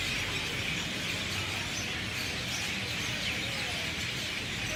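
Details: Many birds chirping in a banyan tree in Lahaina, West Maui, at sunset: a dense, unbroken wash of high twittering chirps from countless birds, steady for the whole stretch, over a faint low rumble.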